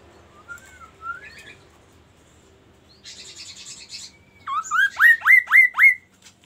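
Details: Magpie-robin song opening with soft wavering whistles and brief twitters, then a dense buzzy rattle, a thin held whistle, and a closing series of five strong rising slurred notes in quick rhythm. Quiet background.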